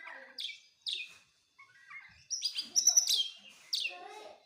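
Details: Magpie-robin singing in short separate bursts of sweet whistles and harsh chattering notes, mostly high-pitched, with brief silent gaps between phrases.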